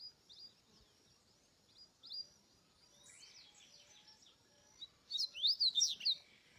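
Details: Wild double-collared seedeater song: faint high repeated chips, then a loud rapid run of sharp rising and falling twittering notes in the last seconds, over a quiet outdoor background.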